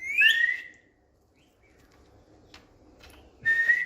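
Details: Pet Indian green ringneck parrot whistling on a bed: a bright, falling two-part whistle opens, followed by near silence, a couple of faint clicks, then a steady level whistle at the end.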